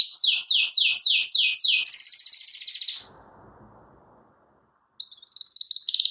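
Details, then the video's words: Canary song to call a rival: five quick descending whistled slurs, a thick buzzy trill, a short silence, then a fast rattling trill resuming. "CUIT CUIT SUARA KENARI MEMANGGIL LAWAN"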